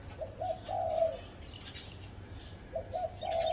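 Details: A spotted dove sits in a home garden tree and coos. Two hollow phrases of quick short notes run into a sustained mellow final coo. Faint high chirps from other birds sound between the phrases.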